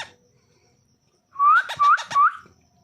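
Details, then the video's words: Fifteen-day-old baby parrot's natural voice: three short, rising, whistled squeaks in quick succession, each sliding upward, against a quiet background. "15 डे old baby parrot/natural voice baby parrot"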